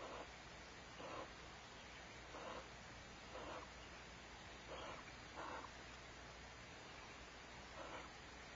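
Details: Barn owls at Starr Ranch: a male chirps in greeting as the female returns home with prey, which she stashes away. Short raspy, noisy chirps repeat about once a second in uneven bursts over a steady background hiss.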